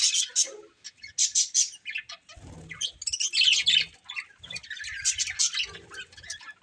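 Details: A family of pet budgerigars chirps in short scratchy bursts and squeaky twitters separated by brief pauses, with some louder grating chatter in the middle and soft low thumps or wing flutters.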